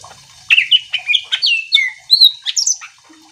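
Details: Greater green leafbird song intended to provoke other leafbirds: a lively sequence of about ten clear whistled notes, some rising and some falling, with a final high sweeping whistle.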